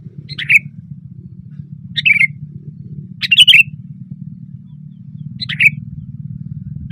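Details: Branch-perched sooty-headed bulbul in loud, chatty (gacor) song: four spaced bubbly phrases, the third longer and richer, each ending in a downward slur, over a low steady hum.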